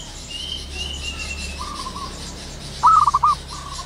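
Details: Morning zebra dove in the wild, soft level coos then one loud stuttering, beaded coo near the end, with distant thin whistles of other birds and a low hum.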